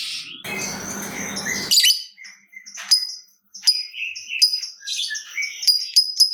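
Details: Lovebird, a fighter-type bird, calling in the style known as ngekek, used as a lure to make other lovebirds sing. A burst of broad rustling noise comes first, then sharp, high, separate chirps with short gaps between them.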